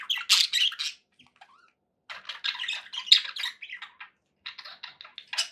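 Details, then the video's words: Happy pet budgies: a loud burst of rasping chirps, a quiet gap, then fast repeated buzzy chirps and squawks. "happy budgie sounds"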